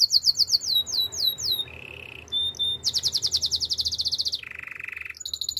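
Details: Canary song for training: sweeping whistles, a low buzzy roll, a very fast high trill, another low rolled tour, then bright notes again.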